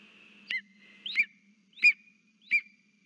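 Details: Lesser spotted eagle holding a frog, calling to its mate at the nest on 3 September 2023: four sharp, high yelping notes, each bending downward, spaced roughly two-thirds of a second apart, over a faint steady electrical hum.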